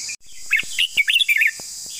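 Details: Long song of a Red-whiskered bulbul. A sharp opening note leads into a lively run of roughly seven chirpy, whistled notes that rise and fall, backed by a thin high-pitched insect drone.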